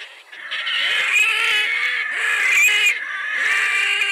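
Red-necked Grebe giving three loud, harsh wailing squeals, each about a second long with a falling, braying end, in quick succession.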